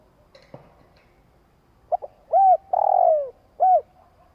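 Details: Spotted dove giving a long coo used to provoke a decoy bird: a soft click, two quick short notes, then an arched coo, a long drawn-out falling coo with a stuttering start, and a final arched coo. Quiet background.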